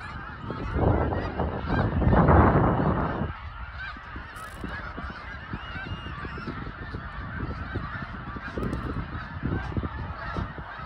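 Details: Migrating snow geese passing through Lancaster, Pennsylvania, a huge flock giving a dense, continuous chorus of nasal honks and yelps, many overlapping voices at once, with low rumbling wind or handling noise, loudest in the first few seconds.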